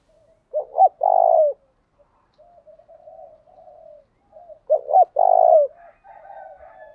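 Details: Low cooing phrase of a lure spotted dove meant to provoke wild birds to fight, heard twice about four seconds apart: two brief clipped notes then a sustained falling coo, with quiet murmurs between.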